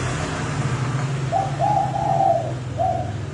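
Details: Lure-call cooing of a spotted dove kept for trapping: a rapid phrase of low, soft hooting coos, a short note then a longer rolling double note and a final coo, against a constant low rumbling background.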